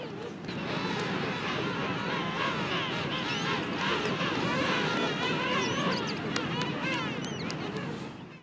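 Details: A dense chorus of King penguins at Gold Harbour, South Georgia, in February 2022: many overlapping wavering, trumpeting calls blend into a steady, noisy babble with no break.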